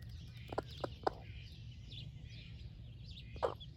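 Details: Broody splash laced red Wyandotte hen sharing breakfast with her chicks: a few short, low clucks in a quick cluster, then one more after a pause, over steady background hiss and faint high bird chatter.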